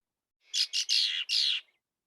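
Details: Red-winged blackbird; aggressive song; female defending her territory against another female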